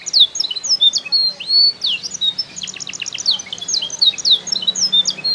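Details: Canary from Comal, Pemalang, Central Java, Indonesia, delivering a rapid high-pitched song of slurred whistles, sharp chips and short trilled series, with a faint low hum behind.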